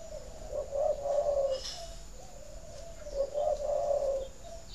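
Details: Spotted dove cooing to stimulate breeding in kept doves: two low, mellow cooing phrases about a second long, separated by a short pause, over steady background hiss.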